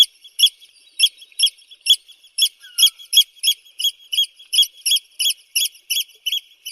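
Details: Eurasian oystercatcher giving a rapid, steady series of sharp, high piping notes, about three per second, continuing without pause; slightly reverberant, no other clear sounds.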